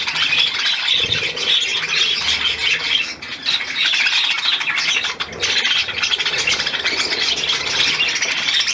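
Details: Several budgerigars kept in captivity, recorded 12 July 2022, keep up a busy, unbroken stream of shrill twittering and raspy squawks. The chatter dips briefly near the three- and five-second marks.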